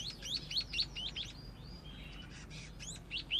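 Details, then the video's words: Scaly-breasted munia, a young bird learning to sing, gives a brisk string of high thin upward-slurred chirps. Next comes a brief soft whistled stretch, then a few more sharp rising chirps, over faint hiss. "Burung pipit/emprit/peking jawa belajar ngoceh"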